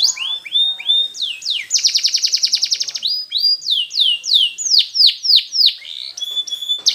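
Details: Canary singing training tune: a few whistled rising notes, a dense rapid trill, then slower repeated downslurred notes about three per second, ending with short clear whistles.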